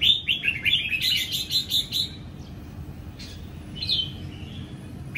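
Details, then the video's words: Captive wild-caught red-whiskered bulbul from Sông Kon, Vietnam, recently moulted out of its forest plumage, singing in morning sun: a quick string of bright warbled whistles, then a pause and a lone clear phrase, with low background hum. "Chào Mào Sông Kon Hót Ché Buổi Sáng"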